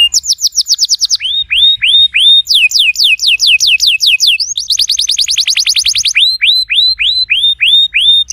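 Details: Canary song used to encourage a canary that has stopped singing: high downslurred whistled notes in quick series, upswept chirps repeated about twice per second, and fast rattling trills alternating through the phrase.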